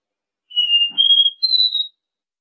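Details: Three-note Dó Ré Mi song of the copper seedeater, recorded to teach young birds and fire up males. Three sustained pure whistles rising in even steps, with a faint soft click near the second note.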